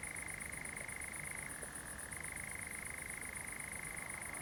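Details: European nightjar churring at night on 7 July 2020 at Pinoa, Zamudio, Bizkaia, among glowing fireflies. It gives an unbroken, rapid, dry mechanical trill that briefly drops lower midway, over a soft hiss.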